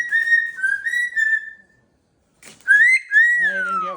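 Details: Pet cockatoo screaming while being blow-dried with the fan only, no heat, indoors: long, loud whistled calls at a steady pitch, a brief silence, then a rising and falling whistled scream.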